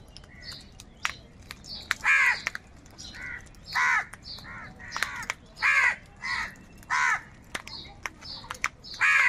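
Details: Crows fighting with each other over food: loud, harsh, nasal caws in bursts roughly every second or so, overlapping from several birds, with thin high chirps and sharp clicks behind.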